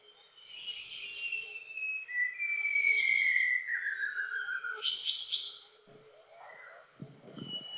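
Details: White-browed shama, a young adult male of this shy Luzon endemic, recorded in Montalban, Rizal, in August 2021: buzzy high notes, then a long pure whistle sliding downward, a burst of trills and lower scratchy notes.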